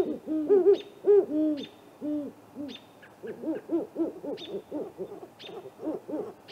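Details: Great horned owl pair on a 15-minute nighttime visit to a great gray owl snag nest in April: bursts of rounded hooting notes, a loud cluster early, then a quicker run of softer hoots, with faint high whistles overhead.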